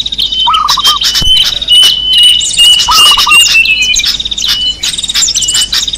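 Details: A long, thin, gently wavering whistle runs through most of this small-bird lure recording, with two bursts of low stuttering notes and busy high chirping and trills around it.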